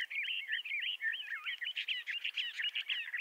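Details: Loud, steady song of a Bendire's thrasher, western North America: an unbroken run of looping, swooping warbled phrases, each curl of notes rolling into the next in rapid, melodious sequence.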